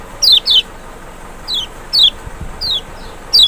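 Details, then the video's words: Lombok or Sumbawa lemon-bellied white-eye (Zosterops chloris maxi) lure recording meant to make a reluctant bird respond: clear, piercing descending slurs, some doubled, spaced about half a second to a second apart. "panciangan sepesial Kecial malas bunyi nggak mungkin nggak respon"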